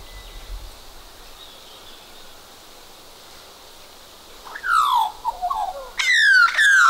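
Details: One of two Australian magpies, this one with a cockroach in its bill, possibly courting or showing off: quiet for over four seconds, then harsh descending croaks with rough overtones, followed by a louder grating burst near the end.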